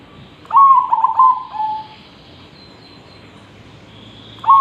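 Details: Perkutut, or zebra dove, singing energetically, its song meant for training other birds: a run of bubbling, staccato coos that trails into a drawn-out final note, with a fresh phrase starting at the very end.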